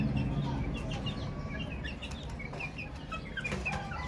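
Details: Many baby chicks chirping: rapid high peeps, several per second, some slurred downward, layered above a loud low rumble with occasional faint clicks.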